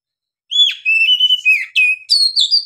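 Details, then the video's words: Oriental magpie-robin singing freely with long breath, used as a lure to stir a silent bird into singing: loud clear whistled phrases, sliding and warbling, some notes higher and sweeter toward the end. "KACER GACOR NGEPLONG NAFAS PANJANG BUAT DONGKRAK EMOSI KACER MACET BUNYI"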